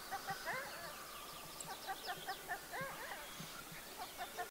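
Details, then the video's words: Black grouse (Lyrurus tetrix) at a lek: overlapping, rolling bubbling coos repeated over several seconds, with other birds' thin, higher calls behind. "Тетерев на току"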